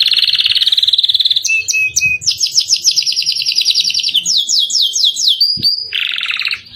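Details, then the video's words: Captive canary singing in the 'cengkok mewah' style, with rolling song used to train other birds: a rapid buzzing trill, short clipped notes, a run of sweeping repeated phrases and a whistled note before a renewed fast trill. "Kenari gacor cengkok mewah// cocok untuk masteran burung"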